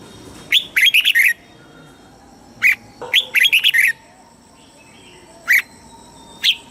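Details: Caged red-whiskered bulbul in Thailand, southern master song style used to stir up caged birds and teach young ones: two rapid bubbly phrases of about six whistled notes, with isolated single chirps between them and after.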